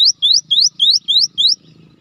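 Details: Gelatik batu (cinereous tit) singing: six loud upslurred whistled notes in quick succession, each sweeping upward, then a short faint murmur.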